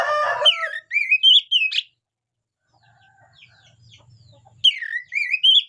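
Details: Oriental magpie-robin singing: loud, varied whistled phrases with rising and falling sweeps and sharp upslurred notes, a burst at the start and again near the end, separated by a quiet gap with faint other chirps.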